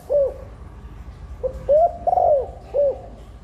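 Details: Female spotted dove call used to encourage nesting and quick egg laying while firing up males; one short arched coo, a pause, then a rising coo, a long falling coo and a final short coo.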